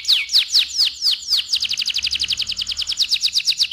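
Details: Canary (AF canary) in full loud rolling song: a few slow downward-sweeping whistles, then a fast rapid trill of sharp repeated notes about six to seven per second, bright and high.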